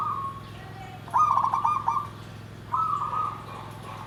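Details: Singing zebra dove (perkutut), 'nggandem gedhe garing' style: a faint opening note, then a loud broken, pulsing coo phrase of about a second, a short gap, and a smoother sustained rolling coo, with mechanical hum underneath.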